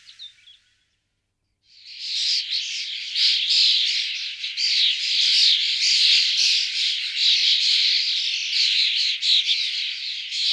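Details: Common starling: after a brief quiet gap, loud harsh, raspy chattering and squawks run almost continuously, a noisy unmusical stream of grating notes.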